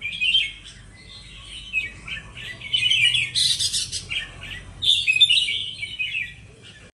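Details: Two Indonesian red-whiskered bulbuls singing competitively, giving bright, warbled phrases of rich whistles and chattering notes in quick bursts, with a faint low hum underneath.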